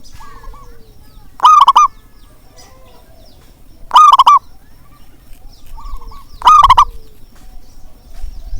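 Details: Zebra dove, a local Indonesian perkutut, played as a lure call to get reluctant doves calling. A loud, rolling, bubbly coo comes about every two and a half seconds, three times, with fainter answering coos between.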